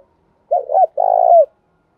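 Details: Female spotted dove decoy, kept for bird training, calling to provoke wild males with a one-ending phrase. A double hooked coo runs straight into a sustained, rolling low coo that ends with a slight downward slide.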